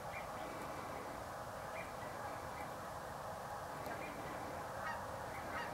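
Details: An estimated 125,000 snow geese on Pungo Lake in Eastern North Carolina on January 5, 2011, recorded with a Canon 7D: a dense, continuous roar of overlapping calls, with occasional distinct higher honks rising above the din.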